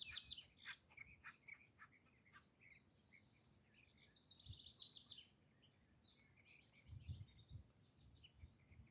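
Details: Acorn woodpecker calling in Cheeseboro Canyon, Santa Monica Mountains National Recreation Area: bursts of harsh, high chattering notes and short sharp chips, scattered and overlapping, with quieter gaps between the louder bursts.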